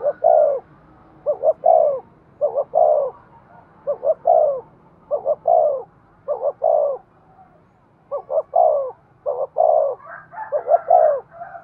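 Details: Rapid, insistent cooing of a spotted dove for stimulating and training lure birds: around nine low, mellow phrases, each a double note and a descending coo, repeated almost without pause.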